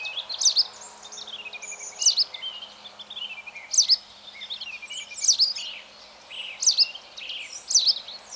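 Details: White Wagtail recorded at Mønsted on 27 March 2020; loud high twittering chirps in clusters, roughly every one to one and a half seconds, with sharp upslurred notes and a quiet background.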